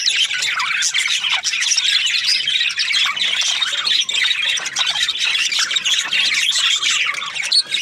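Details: Budgies keep up a lively, unbroken chatter of high scratchy chirps, twitters and squawks, many overlapping, with steady loudness throughout.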